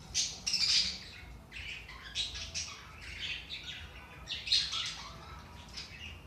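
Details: Budgies warbling, meant to wake up inactive birds: a loud squeaky burst at the start, then irregular scratchy chirps and short warbled phrases, another sharp peak past four seconds.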